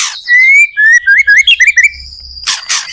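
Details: White-rumped shama singing actively, recorded as a lure to start other shamas singing: a rising pure whistle followed by quick bouncing whistled notes and a held high tone, ending in a burst of harsh noise.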